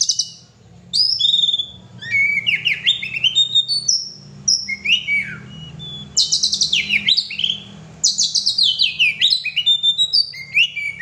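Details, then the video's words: Vigorous song of an oriental magpie-robin (kacer): loud, dense runs of clear whistles, trills and descending slurs that go on almost without a break, with a soft low hum underneath. "kacer gacor"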